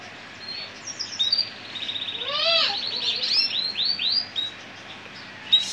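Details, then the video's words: Frilled Gibber canary male from a breeder's stock delivers a warbling song: quick high slurred notes, a cascading descending trill in the middle, then spaced upward-swept whistles. "تغريد كناري كيفر احدب"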